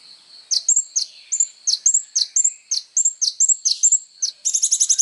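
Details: Kolibri ninja sunbird in full song, presented as tutoring material for songbirds: repeated pairs of sharp dropping chirps and short high whistles about twice a second, ending in a quick rattling trill.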